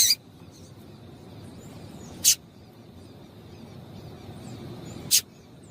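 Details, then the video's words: Double-collared seedeater female calling to excite males into song, three brief high chips spaced about two and a half seconds apart over a low steady hiss. "Piado de Fêmea de Coleiro para Esquentar Coleiro"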